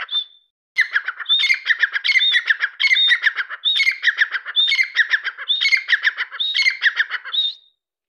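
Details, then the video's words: Partridge gives a short high whistle, falls silent briefly, then launches into steady harsh chattering bursts. Brief high whistled notes recur roughly once a second until the calling stops. "تیترکی آواز۔۔Teetar ki Awaz"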